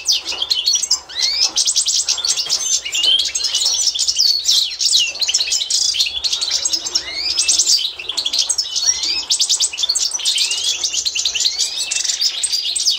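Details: Authentic Constantine goldfinch song for schooling young birds, 2024: a long unbroken stream of bright chattering trills, dense liquid twitters and occasional upward-slurred whistles, sustained at high pitch throughout.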